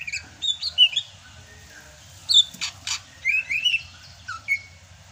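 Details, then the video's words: Greater green leafbird of Sumatra singing during the rainy season: bright whistled upslurs and downslurs, two loud raspy bursts midway, then quick warbled phrases ending on a clear drawn-out whistle. "MUSIM HUJAN CUCAK HIJAU SUMATRA MASIH BISA GACOR"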